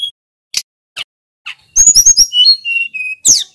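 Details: Snowy-browed flycatcher in full song, played as a training lure for other songbirds: a few isolated ticks, then a rapid burst of very high chips followed by steady, level whistled notes that step lower.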